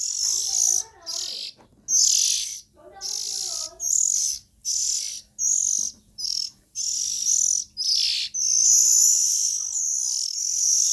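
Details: Juvenile Oriental magpie-robins give loud, scratchy hissing calls in quick irregular bursts, some warbled lower notes heard near the start.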